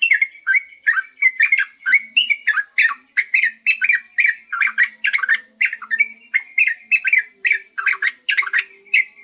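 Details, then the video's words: Long ropel song of a yellow-vented bulbul: a lively, unbroken stream of chattering, bubbling notes rising and falling, bursts coming several per second, backed by a faint constant high-pitched tone. "trucuk ngropel panjang"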